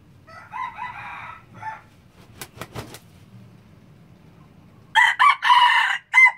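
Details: Red junglefowl from Laos crowing: a harsh, harmonic crow of about a second and a half, then a short pause, then a louder, longer crow with a clipped final note. Sharp knocks are heard between the two crows.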